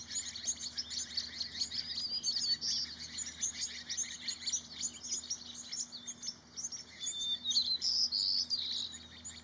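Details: Several white-crowned sparrows at Corn Creek Field Station, Desert National Wildlife Refuge, Clark County, Nevada, on 19 March 2018, give a busy, overlapping stream of high, thin chips and tinkling notes over a faint steady low hum.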